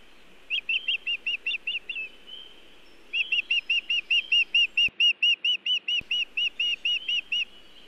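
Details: Osprey at a nest camera in Montana, 1 June 2017, delivering nest material without fish; a quick string of high yelping chirps, a short pause with a faint whistle, then a longer even run.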